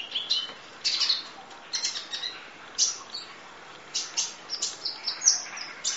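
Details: Training recording of a sunbird in full 'nembak' style: piercing high chirps in clusters, short sweeping whistles and rapid twittering, with brief breaks.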